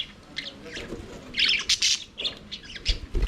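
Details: Aviary budgerigars singing and playing: short scratchy squawks and chirps in uneven bursts, with a few soft low thumps near the end.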